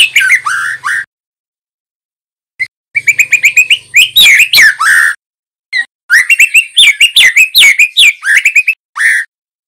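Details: Young male white-rumped shama (trotol), song played as lure and master audio so juvenile birds learn to sing quickly: loud, varied bursts of sweet whistles and chattering notes in dense phrases separated by short pauses.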